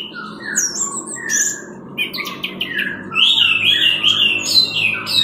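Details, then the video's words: Orange-headed thrush teler-style masteran song: scattered chirps and whistles building to a dense, fast stretch of warbling, with a low humming drone in the background. "20 MENIT MASTERAN ANIS MERAH TELER"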